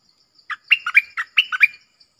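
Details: Red-whiskered bulbul giving its clear double-song phrase, a rapid run of about seven rich whistled notes alternating high and low, over soft steady insect ticking.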